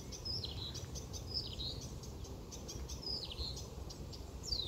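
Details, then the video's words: Song of a marsh warbler: quick high chirps and downward-sliding whistles in short repeated bursts, with brief pauses between phrases, against a faint low background hum. "Пение болотной камышевки"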